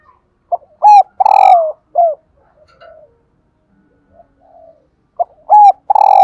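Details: Female spotted dove calls, used to prompt males to coo: short, soft, hoarse coos in two bursts, each a quick cluster of notes followed by a longer purring note, with a quiet pause between.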